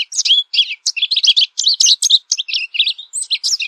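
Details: Rapid, continuous song of an American goldfinch: bright chirps, quick up-and-down slurs and twittered notes run together without a break for nearly four seconds.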